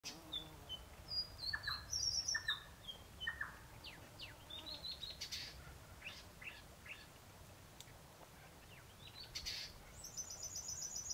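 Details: A Chestnut-rumped heathwren calls in its natural habitat in the Brisbane Ranges, Victoria: a lively, fast run of high, sweet whistles and chips with a brief trilled burst near the end, over light bush noise.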